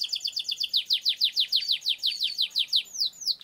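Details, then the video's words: Canary song offered as a training lure for long rolls: rapid high notes at first, then a run of about fifteen repeated downward-slurred whistles, closing with two separate sweeping notes. "Suara Burung Kenari Gacor Ngerol Panjang Untuk Pancingan Kenari Agar Jadi Juara"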